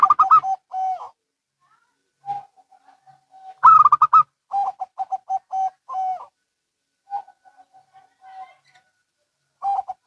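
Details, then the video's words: Zebra doves of local and Bangkok type answering one another in rapid cooing phrases: clipped bubbling bursts alternate with series of lower, evenly spaced coos ending in a stretched note, separated by quiet gaps. "Perkutut Lokal & Bangkok Bunyi Saling Bersahutan"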